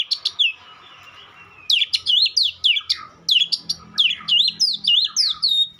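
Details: White-rumped shama singing in fast bursts of sharp, rising and falling whistles, a short pause after the opening notes, then steady rapid phrases over a faint low background hum.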